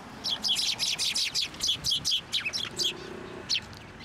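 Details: Sparrows flying onto a hand for food at a shrine in December: a busy run of rapid, high twittering chirps, about three per second, tapering off with a few isolated notes and a faint low hum.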